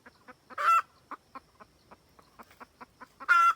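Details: Cackling wild red junglefowl hen calling her rooster, a trapping lure: a harsh drawn-out squawk, a jumble of quick clucks, then another loud squawk at the end.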